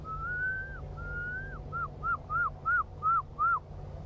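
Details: At a coastal industrial shipbuilding area by the water, where Herring gulls face off, bow and display to each other, one gives two long, rising, mewing notes, then six quick arched yelps at a faster pace over a low rumble of wind.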